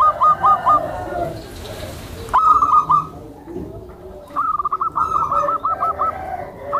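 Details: Gentle song of a tame zebra dove meant to lure other zebra doves. A few short coo notes are followed by a pause with rustling, then a stuttering phrase and a longer rapid run of notes.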